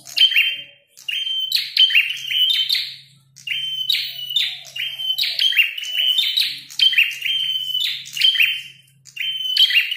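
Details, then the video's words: Red-headed prenjak fighting: dense, repeated song of steady high whistles ending in harsh buzzy flourishes, bursts close together with a few short gaps; a soft low hum runs underneath. "Prenjak tarung gacor | prenjak kepala merah"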